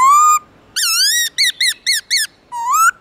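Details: Black-throated laughingthrush singing in the forest-voice style in the morning: a long rising whistle, a pause, a swooping slurred phrase, four short looping notes, then another rising whistle, loud and clear.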